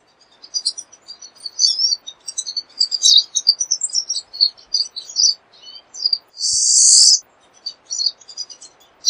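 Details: Long bout of pine siskin song, an excited high twittering chatter interrupted by one loud, harsh buzzy note before the twitters continue, over a soft background hiss.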